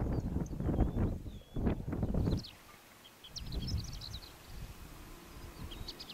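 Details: Greater short-toed lark of the nominate subspecies, recorded in Doñana National Park, Spain, in April 2011: scattered high, thin chirps and short trilled notes, nearly hidden by heavy low wind rumble in the first half.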